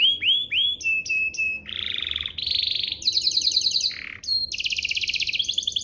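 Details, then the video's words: Canary song used as a lure to prompt other canaries to sing: looping upslurred whistles, steady flat trills, buzzy rattling rolls and a low nasal buzz, all high-pitched and varied in quick succession. "Pancingan Burung Kenari agar CEPAT BUNYI, terbukti ampuh bikin burung kenari lain nyaut"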